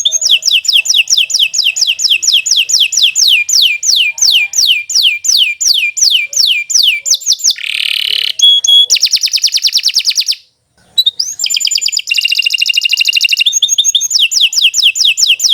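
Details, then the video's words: Canary in long, continuous gacor song: many rapid down-slurred whistles in a run, then a harsh rasping note, buzzy trills, a brief silence and more rattling rolls. "Kicau Burung Kenari 153 II LUAR BIASA GACOR PANJANG"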